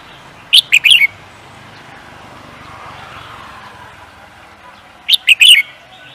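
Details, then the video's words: Songbird used in singing races utters two brief bursts of clipped, high twittering notes about four seconds apart, with traffic noise and indistinct voices in the background between them. "The Beautiful Bird singing"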